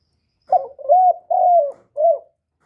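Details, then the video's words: Spotted dove, a young male calling loudly, recorded live without background noise for bird keepers: four clear cooing notes, a short hoarse opening note followed by three longer smooth coos, the third the longest, in a quiet setting. "Tiếng chim cu đất gáy lớn tiếng, cu gáy thúc, cu gáy gọi, cu trống tơ gáy to, cu cườm gáy,cu đất gáy"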